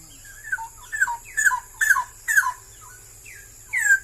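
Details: Rich, gurgling whistled phrases from a straw-headed bulbul (barau-barau), a species said to be vanishing in Malaysia; short rolling bursts come in quick succession, then pause, against a constant background hum.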